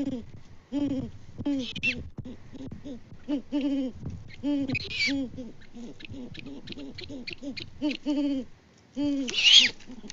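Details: A mated pair of great horned owls hoots back and forth in February on a Peabody, Kansas farm, filmed by live cam: dense, overlapping deep hoots in rapid runs, broken by several short, harsh, raspy higher bursts.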